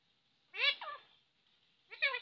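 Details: Pet talking parrot in a quiet room utters two slurred, tonal phrases: the first bends down then up, and a second, similar phrase follows after a short silence.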